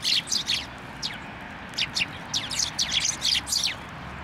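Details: At a Tenmangu shrine on 1 January 2024, sparrows gather to take food from a post, giving loud, high, descending chirps in quick overlapping series, several per second, from more than one bird.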